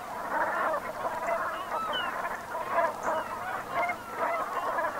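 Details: Autumn sunset recording of Brent geese, Gulf of Morbihan in Brittany, 7 November 2021; a crowded babble of soft croaking honks pulsing in loose bursts, a few thinner higher notes poking out above the flock.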